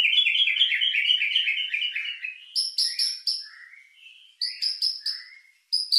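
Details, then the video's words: White-rumped shama lure song with rich mimicked filler, meant to stir emotion and breeding drive: rapid buzzy trill repeated over two seconds, then high chattering notes and short falling whistles with brief pauses. "Pancingan murai batu isian mewah mendongkrak emosi&birahi"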